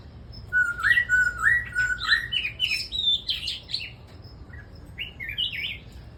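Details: Red-whiskered bulbul singing: a run of clear whistled notes, several rising slurs repeated steadily, then a brighter warbled phrase and a pause before two rising whistles near the end; faint low hum underneath.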